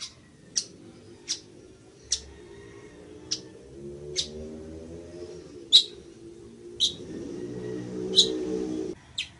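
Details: Village weaver uttering sharp, high ticking notes repeated roughly every second over a soft, low background hum.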